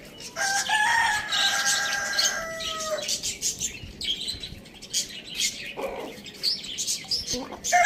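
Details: Rooster in a farm village giving one sustained harmonic crow of about two and a half seconds that drops in pitch at the end, followed by scattered chirps from small birds.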